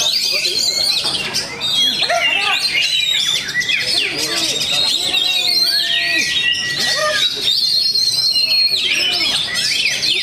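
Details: Oriental magpie-robin singing at a bird-song contest, a newcomer entered in the competition; dense, continuous song of varied sweet whistles, rapid chatters and sliding notes, some long level whistles held high, with more birds and crowd murmur underneath.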